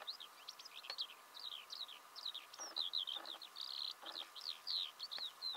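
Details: Eurasian skylark singing in Belarus in March 2016, early spring: a continuous, rapid stream of high, varied chirps and trills without pause, with faint rustles and clicks in the background.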